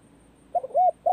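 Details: Spotted dove practising as the cold season begins, giving a brief low coo of a short note and an arched note, with a longer steady note cut off at the end.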